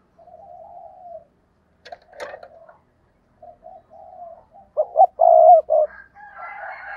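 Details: Decoy spotted dove with soft low coos early on, then a loud phrase of two short notes and a long coo, followed by a higher, buzzier sound at the end.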